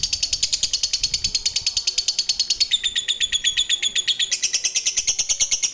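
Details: Lovebird in the ngekek style, a long chatter used to rile up other lovebirds: continuous rapid, shrill pulsed notes whose tone shifts partway through but keeps the same quick beat.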